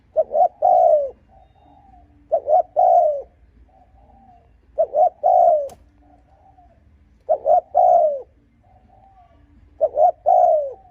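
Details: Spotted dove coo meant to provoke and lure rival males: five repeated phrases, each two quick low notes and a long falling croon, roughly every two and a half seconds, with soft quieter coos between.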